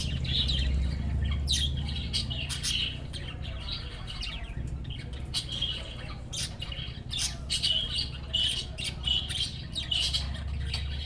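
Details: A flock of budgerigars chatters busily, with quick scratchy chirps and squawks over a low steady hum.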